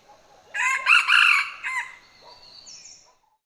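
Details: Wild male Red Junglefowl crowing: a hoarse, harsh crow of several rough syllables lasting over a second, choked off abruptly at the end, followed by faint thin whistles from other birds in the background.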